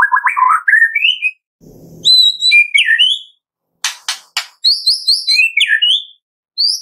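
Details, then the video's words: Medan-type white-rumped shama singing energetically, kept as a lure to make other shamas sing: varied clear whistles jumping between pitches, a burst of sharp clicking notes, and high rising phrases. "MURAI BATU MEDAN GACOR FULL ISIAN"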